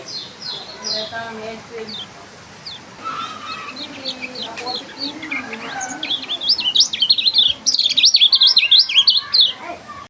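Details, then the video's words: Lemon-bellied white-eye, strange sound: scattered high chirps and soft lower notes at first, building into a loud, rapid, wavering twitter of whistled notes in the second half. "Kecial suara aneh|Kecial Kuning"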